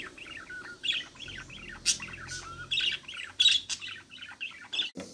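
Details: Green-series budgerigars in the nest, the mother feeding her growing chicks, one chick an opaline carrier; dense bursts of short, scratchy chirps and squeaks, some bright and loud, overlapping throughout with brief pauses.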